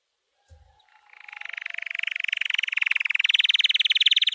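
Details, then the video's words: White canary in full training song: after a soft low knock, a very rapid rolling trill builds steadily in loudness and climbs a little in pitch, continuing without a break. "White Canary 12h Singing - The Best Training Song"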